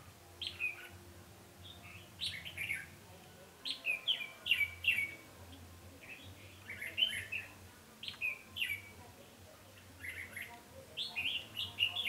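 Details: Red-whiskered bulbul used as a trapping decoy on 20 November 2015, singing repeated bubbly whistled phrases of three to five notes, spaced by short pauses over steady low hum.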